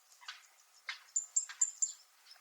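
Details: Zitting cisticola (fan-tailed warbler) on Miyako Island, Okinawa, Japan, giving metallic calls: a few brief broadband rasps, then four sharp high tinny clicks in quick succession near the end.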